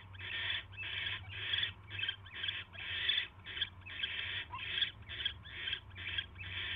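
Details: Barn owl at night, 10:22 PM on January 22, 2016, as a mouse is brought to the nest: harsh, rasping hiss-like bursts repeated about twice a second, some overlapping, over a steady low hum.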